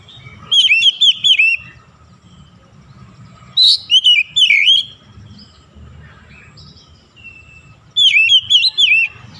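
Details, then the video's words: Kacer, the oriental magpie-robin, in morning sun gives three rich whistled bursts, each a quick run of four or five swooping, slurred notes, with several seconds of near silence and soft low rumble between. "SINAR MATAHARI PAGI SANGAT AMPUH MEMBUAT KACER LEBIH GACOR"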